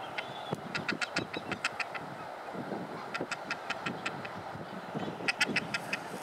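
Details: Hungry masked booby fledgling, able to fly well but still fed by its parents, begging on Phillip Island, Norfolk Island, in June 2017: rapid bursts of harsh, rasping notes, several a second, in three runs with brief pauses, over low rumble.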